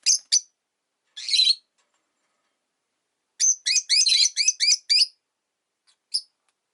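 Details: Caged pet rosy-faced lovebird, one of five birds by a window, chattering through winter: a few scattered shrill chirps, then a rapid run of about eight sharp high notes, and a last single chirp.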